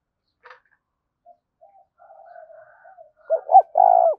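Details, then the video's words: Spotted dove in 'thúc' style, opening with faint, scattered, low murmurs and a brief click, then a loud phrase of two short, bent hoots and a long, rolling, burred coo at the end. "Tiếng chim cu gáy thúc cực đỉnh vang cả buôn làng"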